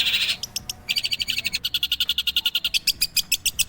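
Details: Long-tailed shrike singing: a brief buzzy rasp, then a long fast train of sharp high clicks, about three or four per second, evenly spaced.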